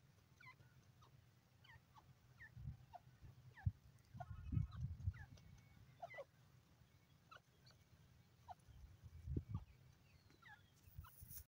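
A grey francolin pair gives short, sharp, rising whistled notes in quick repeated bursts throughout, over a steady low rumble of wind or handling noise.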